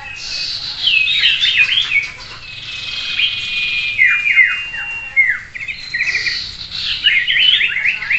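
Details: Sirtu song in a simulated songbird contest meant to train the birds' nerve: rapid, high, twittering phrases of sliding chirps and trills, with several similar birds overlapping in a busy chorus.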